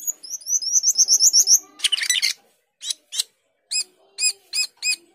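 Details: Asian glossy starling (cucak keling) singing prolifically: a fast run of high upslurred chirps, a harsh rasping burst, then spaced ringing notes with rich overtones.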